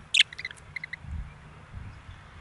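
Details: Four male budgerigars kept outdoors give a quick cluster of sharp, high chirps at the start, followed by a few softer, spaced chirps. A low rumbling background runs underneath.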